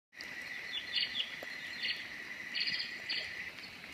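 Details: Grey-headed parrotbill calling: a rapid series of short, thin chirps and twittering notes in small bursts, over a steady insect hum and faint background hiss.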